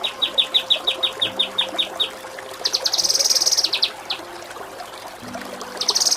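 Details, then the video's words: Kinoi song for tutoring contest birds, styled ngepik kapas tembak and nembak cililin: a run of sharp repeated chirps about five per second, then a dense buzzy rattling trill and further chirps, over a faint steady low hum. "Masteran Mewah KINOI || Ngepik Kapas Tembak || Nembak Cililin"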